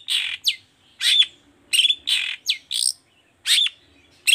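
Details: Long-tailed shrike singing the lively 'toet toet' style, used to prompt lazy shrikes to answer: harsh buzzy bursts alternate with sharp rising whistles, about ten phrases in quick, uneven succession.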